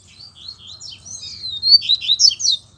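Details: Double-collared seedeater in wild bushland, where a chick also called; a rapid, sweet run of high slurred whistles and twitters that builds louder toward the end over a quiet background.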